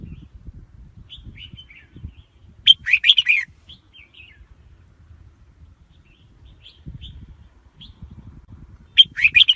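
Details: Red-whiskered bulbul used to lure wild birds to a trap, giving a loud burst of rolling, chirpy warbles near the third second and another at the end, with soft twittering notes in the gaps and low rumbling.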